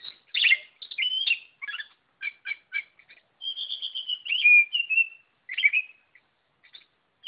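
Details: Oriental magpie-robin (kacer) singing in full, lively gacor form: a rich run of whistled phrases, sharp chirps and short trills, with a long sustained high whistle in the middle that slides and falls, and clean pauses between bursts.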